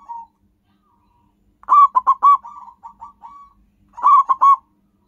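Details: Local zebra dove lure sound: a loud phrase of staccato coos trailing into soft bubbling notes, a pause, then another loud burst of three clipped coos.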